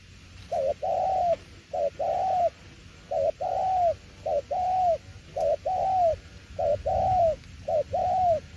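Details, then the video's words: Spotted dove delivering a long "tiểu liên nước" style sequence: seven regular pairs of a short low note and a longer smooth coo, steady rhythm throughout. "Đồng tiểu liên nước chơi quá hay luôn ae ơi"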